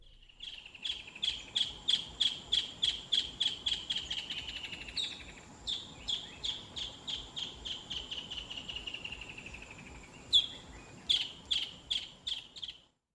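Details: Mangrove Kingfisher in Southern Africa gives a long series of loud, piercing notes, about three per second, gradually sliding lower, then a brief renewed burst.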